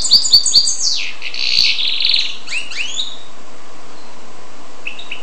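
Goldfinch x canary hybrid singing a quick run of high twittering notes, a buzzy trill and several slurred upward whistles, then a soft closing phrase.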